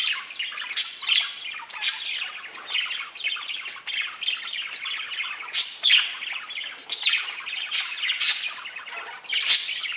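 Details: Several pet budgies chatter nonstop. The sound is a dense, high, scratchy warble full of rapid chirps, with sharper squeaks rising above the flow every second or so.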